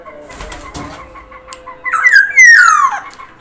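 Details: Black-naped oriole, Sumbawa form, singing actively: a rough, nasal phrase that rises briefly and then slides steeply downward, preceded by softer rustling and faint background tones.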